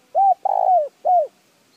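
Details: Three mellow spotted dove coos, recorded to stimulate decoy birds: a rounded first note, a long rough-edged coo gliding downward, and a final arched coo.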